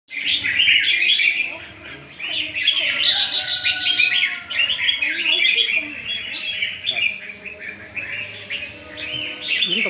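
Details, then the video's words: Albino red-whiskered bulbul, one year old, in training: dense, overlapping bright chirps and warbled notes packed together, with busy twittering sustained throughout and brief louder bursts. "Chào mào bạch tạng 1 tuổi tập luyên"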